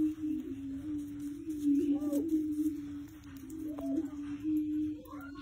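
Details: Male greater prairie-chicken (Tympanuchus cupido) singing: a low, hollow, humming drone held steadily throughout, with a few brief rising whoops breaking above it.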